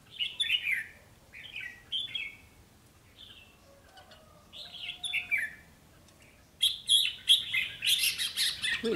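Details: Red-whiskered bulbul decoy in a cage, one of a pair, giving clipped warbling phrases in quick bursts, then a louder, dense run of chirps toward the end mixed with rustling cage noise.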